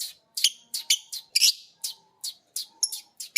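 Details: Lovebirds of biola green and PB Piet colouring copy each other's ngekek while listening to a master track. A steady series of loud, shrill, rasping chirps repeats roughly every quarter second.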